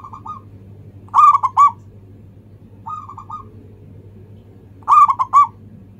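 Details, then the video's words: Local zebra dove cooing its manggung song, played as a lure to make other birds sing: quieter and louder phrases of soft trilled coos alternate about every two seconds, each loud one ending in clipped pulses, with low hum behind. "ANGGUNGAN SUARA PERKUTUT LOKAL"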